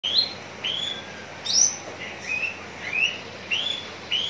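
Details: Caged Javan bush lark said to be ready for hanging at songbird contests, from Cikupa, Tangerang regency, Indonesia: bright whistled notes with short rising and falling slurs, repeated roughly every half second against a quiet background.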